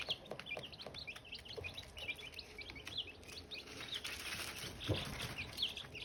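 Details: Silkie chicks, with eggs hatching, giving many short high peeps in quick overlapping runs, some rising and some falling, over a steady background hum with occasional taps and bumps.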